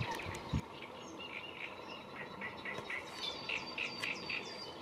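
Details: Great reed warbler singing at the Lagunas de La Guardia, Toledo, on 30 April 2022: a run of repeated harsh, chattering notes in the mid-high range, growing into quick rhythmic series near the end, over steady background hiss and a brief low thump.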